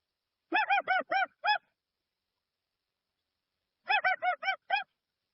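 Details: Dusky-legged guan calling, recorded clean without added effects: two bursts of loud nasal honking notes, five per burst delivered in quick succession, separated by about two seconds of silence.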